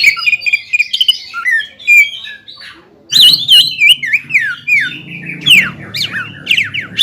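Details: Greater green leafbird singing hard to goad a rival leafbird: chattering warbled phrases, then a fast run of sharp slurred and downward-sweeping whistles after a brief pause.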